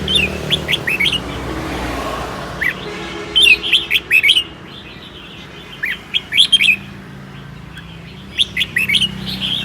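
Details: Seven-claw red-whiskered bulbul from Sơn La, Vietnam, singing 'ché' on a cold day while a man urges it on; quick bright twittered phrases in short bursts, repeated several times over a rumbling background.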